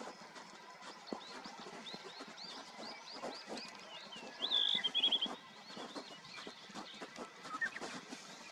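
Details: A single Eurasian wryneck, a rare passage migrant stopping on Uido island, Korea, in late April, gives a run of short, high, slightly rising notes, then a louder, sharper burst, over constant clicking and rustling.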